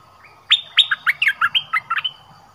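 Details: Orange-headed thrush song used as a decoy to lure wild birds: a varied phrase of clear whistled notes, some sliding down, delivered in a quick run of about ten notes, with a steady low hum beneath.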